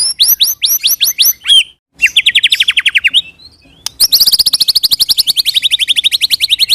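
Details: White-rumped shama rolling song as a lure for other shamas: crisp repeated upslurred whistles, then long fast trills of rapidly pulsed notes, briefly broken by a pause.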